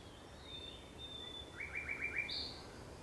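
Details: Thrush nightingale song at sunset, 30 May 2021: a long thin whistle followed by five rapid chopped notes and a short high buzzing burst.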